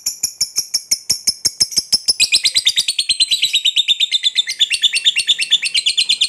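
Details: Lovebird ngekek, the long chattering song used as a tutor to set other birds singing; it opens with sharp clicking ticks, then bursts into a dense, shrill, rapidly repeated chatter for the last four seconds.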